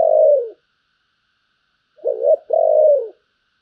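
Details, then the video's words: Spotted dove giving its "giọng thổ" call with a "Bầu" voice: a smooth low coo, a pause, then a short double note and a long falling coo. No other sounds are heard. "cu gáy giọng thổ, Bầu nghe rất hay"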